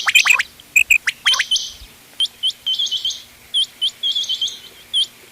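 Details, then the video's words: Quail calls in a mixed recording made for hunting, described as ghungay wal, dogla and changa quail voices: sharp high hooked chirps given singly and in quick pairs, a short run of fast notes near the start, then evenly spaced chirps. "گھونگے وال دوغلا چنگا بٹیروں کی مکس آواز quail bird sounds for hunting bater ki awaaz"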